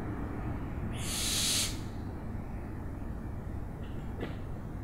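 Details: One harsh, airy screech from an owl lasting under a second, then low background rumble with a faint click.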